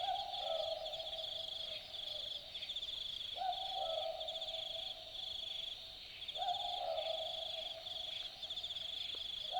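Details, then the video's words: Night recording of an Australian boobook in the bush of Dharug National Park, Australia: three typical two-note boo-book calls about three seconds apart, each a higher hoot dropping to a lower one, with a constant pulsing high insect chorus. "Boobook Owl Call - The sounds of an Australian Boobook calling at night"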